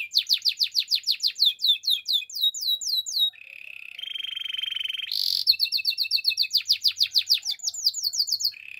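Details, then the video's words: Male canary in full song, with rapid repeated downward-sweeping whistles in quick succession, a sustained buzzy lower roll, and a sharp burst, then more fast slurred notes and a brief low trill. "Male canary singing with beautiful voice"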